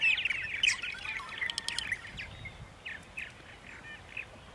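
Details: Purple martins at Center Moriches, Long Island, New York, early on a spring morning, 14 April 2012: a quick cluster of rolling, gurgled chirps that thins into a few separate notes.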